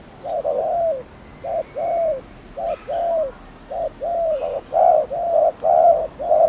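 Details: Spotted dove coos to provoke rivals, short-long low hooting pairs quickening toward the end, with faint distant chirps and a thin whistle in the background.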